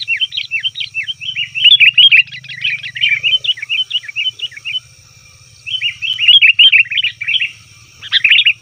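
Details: Noisy sooty-headed bulbul calls for luring wild birds: long runs of rapid, bubbly chirping notes, a short pause, then another excited chattering burst, with a faint hum underneath.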